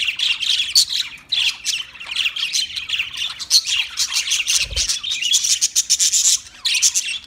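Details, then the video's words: Budgerigar singing a long, busy stream of gritty high chirps and squeaks with a brief low thump midway. "Birds Singing Beautiful Budgie Sounds Parrot Talking voice"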